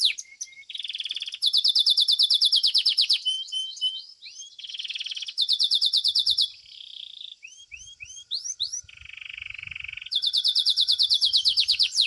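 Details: Domestic Belgian canary competition song: long rapid trills of repeated notes alternating with short rising whistled notes and lower buzzy rolls, changing pitch between tours throughout.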